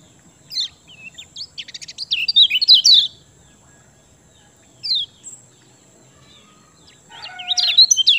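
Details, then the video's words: Kecial kuning in song, used to coax quiet birds into singing: scattered high notes build into a quick chattering phrase around two to three seconds, then a single down-slurred note and a final twittering burst, with a steady high whine behind. "Ciak Joss Kecial Kuning Ampuh Bikin Gacor Pancingan Kecial Malas Bunyi"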